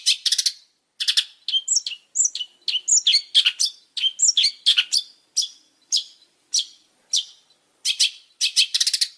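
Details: Long-tailed shrike, described as singing very actively, delivering a busy varied song of sharp chips, slurred down-sweeping whistles and scratchy notes in quick succession, ending in a dense rattling burst.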